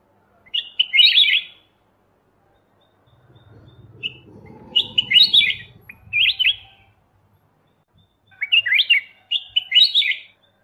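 A black-crested bulbul sings bright, bubbly warbled phrases about a second long, in three bursts a few seconds apart, with a faint low rumble between.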